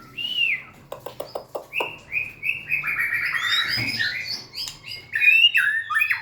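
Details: Singing white-rumped shama that dances and wags its tail. One clear arched whistle, then a series of short clicking ticks, then a dense tumbling stream of overlapping whistles and warbles, ending in sharp high slurred notes.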